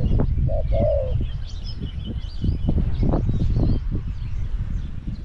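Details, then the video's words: Spotted dove kept in a cage as a decoy for wild doves at Song Phi Nong gives a single brief two-part coo early on, then busy clicking, tapping and rustling dominate, with faint higher bird chirps behind. "ต่อนกเขาใหญ่ EP302ลุ้นนกป่าที่สองพี่น้อง"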